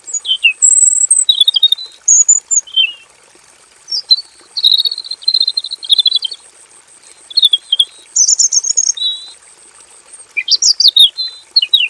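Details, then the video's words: Male robin in a simple aviary sings in rapid bursts of high, varied whistles and trills, phrases of one to two seconds with brief pauses; a steady high insect-like hiss throughout. "KICAU BURUNG ROBIN JANTAN GACOR NGEROL PANJANG FULL ISIAN"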